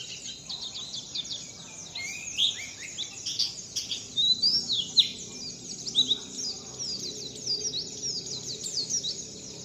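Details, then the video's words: High-pitched twittering bird song in the wit wit zipeer style, meant for learning: swift chirps with clear rising and falling whistles in bursts, the loudest notes spread through the middle. "Belajar wit wit zipeer"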